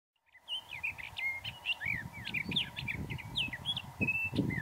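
A Sage Thrasher pours out a rapid, unbroken warble of varied, squeaky and burry high notes. A low rumble of wind and a faint steady hum sit underneath.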